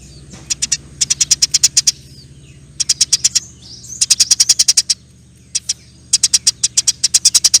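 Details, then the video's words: Eurasian tree sparrow in long, energetic nyerecet chirping, over a faint low background hum; repeated runs of seven to ten fast, even, high chirps, each lasting about a second, follow one another with short breaks. "NYERECETTT PANJANG, KICAU BURUNG GEREJA GACOR"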